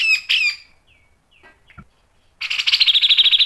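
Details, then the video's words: Grey-cheeked bulbul song used as a lure for training: a few harsh chirps, a pause with faint notes, then a rapid run of buzzy, pulsing notes at a steady high pitch. "MASTERAN CUCAK JENGGOT GACOR MBESET NGEPIK dan NEMBAK tajam | PANCINGAN CUCAK JENGGOT"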